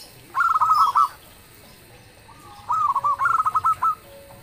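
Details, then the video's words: Local zebra dove singing loudly, a song said to provoke answers from other birds: two quick phrases of staccato, bubbling coo notes, the second longer and ending with a few spaced clipped notes. "suara perkutut lokal gacor_dentuman suaranya bikin yg lain nyaut"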